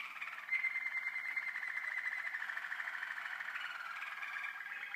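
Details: Young Waterslager canaries from 2012 give a steady bubbling trill, rapid and even, with a brighter whistled line near the start and slow waves in loudness.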